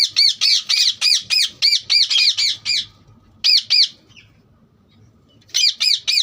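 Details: Fast steady string of about a dozen rasping, arch-shaped chirps from a green parrot, then a lull and another short burst.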